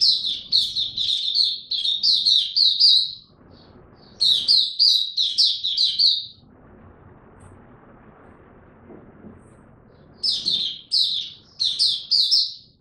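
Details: Caged Oriental white-eye in ramped-up form, dated 3 January 2022, singing quick runs of high chirping notes in three bursts, with a long gap of low background noise between the second and third.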